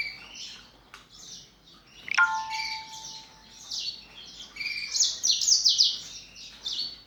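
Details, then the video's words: Morning song from caged canaries and black-throated canaries in a breeding flock; rapid high twitters and warbled phrases building in intensity, with a short chime-like ringing tone midway. "THĂM CÁC BẠN YẾN HÓT- THẠCH YẾN BUỔI SÁNG"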